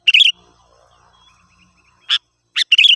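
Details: Sooty-headed bulbul song for luring wild birds: a bright warbled phrase, a faint thin whistle, then two single chirps and another warbled phrase.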